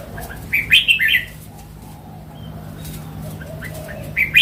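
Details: A mature wild red-whiskered bulbul delivers a quick, bubbling phrase of several liquid notes. A quiet pause with faint distant chirps follows, then a second short phrase begins at the end.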